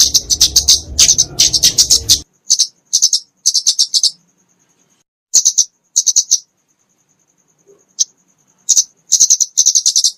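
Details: Flowerpecker (kemade, genus Dicaeum) fighting song used to train and lure small songbirds; very high, dry, rapid ticking bursts in short rhythmic clusters separated by pauses, a low noisy hum during the first two seconds.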